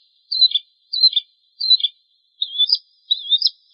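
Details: Bar-winged prinia (Prenjak Jawa) tutor song for cage birds: three high down-slurred chirps spaced about two-thirds of a second apart, then two longer warbled notes, high-pitched, with a quiet background.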